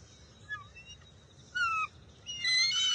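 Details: Wild bald eagle eaglet at the nest on June 23, 2021, contesting a fish with its mother; faint descending whistles, then a sharp down-slurred squeal and a loud, harsh, ringing squeal closing the sequence.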